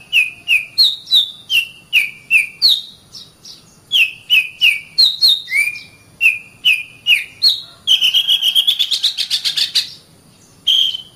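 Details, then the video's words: Oriental magpie-robin (kacer) song used to train caged birds in morning or afternoon: sharp clear whistled notes repeated about three per second, varying in pitch, ending in a fast buzzy rising trill and a final whistle. "SUARA BURUNG - Masteran Terbaik Kacer"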